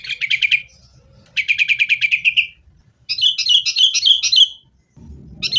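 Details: Sooty-headed bulbul lure song to make caged birds sing: quick rattling series of repeated chirped notes in three bursts, the last more varied and warbled, with faint low background noise.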